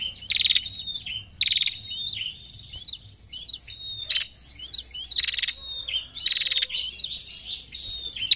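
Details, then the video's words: Chatty female prinia delivering the narung call: about five sharp, rasping rattle bursts spread through the passage, with twittering, slurred high chirps between them. "PRENJAK BETINA GACOR NARUNG MANTAP"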